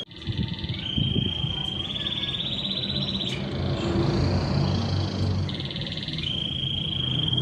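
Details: Canary lure song meant to prompt silent canaries into singing: steady whistled trills held on one pitch, shifting to slightly lower trill tours, over loud low rumbling background noise.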